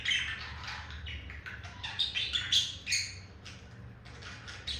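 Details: Male budgerigar courting a female: moderately soft, rapid scratchy twittering with short squeaky accents in the middle, then quieter chatter, over a low steady hum.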